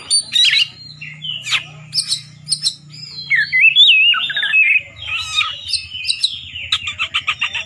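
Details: Competition song of an Oriental magpie-robin aimed at provoking rivals: a rapid, varied run of sharp chirps and sliding whistled phrases, ending in quick clipped notes over a low steady hum.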